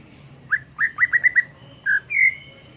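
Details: Greater green leafbird (cucak ijo), a tutor recording for songbirds: a quick series of six clear whistled notes, then a lower whistle and a rising drawn-out whistle, over a steady low hum.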